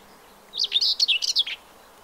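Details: Common whitethroat singing in spring at a nature reserve in Morbihan, France, on 15 April 2023: one short scratchy, rapid warble of about a second, several quick buzzy notes jumbled together, over a quiet background.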